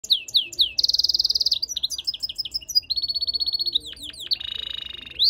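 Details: European goldfinch × canary mule singing, a rapid varied song of high buzzy rattled trills, sweeping up-and-down whistled notes and long fast-pulsed runs, continuous throughout.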